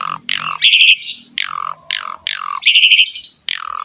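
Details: Asian pied starling singing vigorously, used as a training recording to prompt other birds: loud harsh squawks alternate with descending whistled slurs and short bursts of rapid buzzy trills, with brief pauses between phrases.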